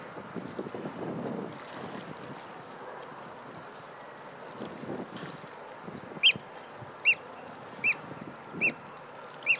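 A Eurasian oystercatcher gives five loud, shrill piping 'kleep' notes, one just under every second, after several seconds of wind and lapping water.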